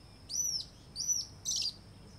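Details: White-throated seedeater (Sporophila albogularis) giving two clear, high, arched whistled notes followed by a harsher buzzy burst, all closely spaced over about two seconds against a quiet background.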